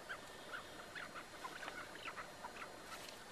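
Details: A caged chukar partridge gives short, harsh clucking notes in quick uneven bursts, about two a second, over a steady background hiss.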